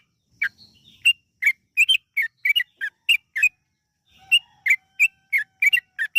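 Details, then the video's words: Yellow-vented bulbul, lure song to prompt birds to sing: spaced clear whistled notes, some doubled, delivered about three per second, with a pause near the middle before the series resumes. "PANCINGAN TRUCUKAN AGAR BUNYI burung TRUCUKAN GACOR ROPEL PANJANG"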